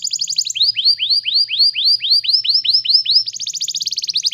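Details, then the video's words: Canary rolling song for tutoring young canaries: rapid high trill, then a steady series of arched whistled notes about four per second, ending in a faster high trill. "GAcoR NgerollL Panjang, Pancingan untuk kenari Paud Belajar bunyi"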